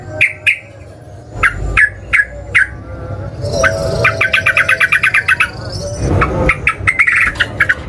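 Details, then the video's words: Yellow-vented bulbul (trucukan) lure recording meant to start other bulbuls singing: separate sharp chirps, then a fast chattering run of clipped notes, then more chirps, over low rumbling noise. "pancingan burung trucukan"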